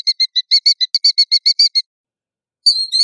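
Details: Killdeer giving a quick run of about fourteen sharp, clipped notes that stops abruptly. After a short pause come a few higher, slurred call notes. No other sounds are heard.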